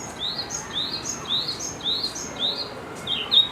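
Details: At Higashiyama Zoo, a red-flanked bluetail sings: quick, high upslurred whistles repeated steadily about twice a second, bright and thin, ending in a slightly lower twittering note.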